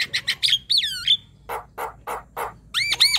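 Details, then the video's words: Young Javan myna in full, lively song, used as tutor material for training other birds: bursts of harsh, buzzy notes, then a whistled phrase sliding down, followed by four lower, rasping chacks and quick looping whistles at the end. "Suara jalak kebo gacor"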